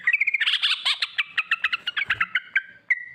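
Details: Sooty-headed bulbul song used as a lure to make other bulbuls sing: a fast run of bubbly, chattering notes around the middle pitch range, ending in a short whistled note after a brief pause.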